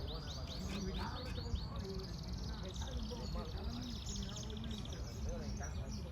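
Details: Yellow-fronted canary opening with a string of looping high whistled notes, then a long rattling high trill, over loud low background noise and some lower murmuring sounds.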